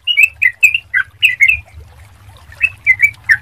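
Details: Sooty-headed bulbul heard as a lure to prompt other bulbuls to sing. Brief bursts of clear, slurred whistles, a short quiet gap with faint low rumble, then a few more bubbly notes.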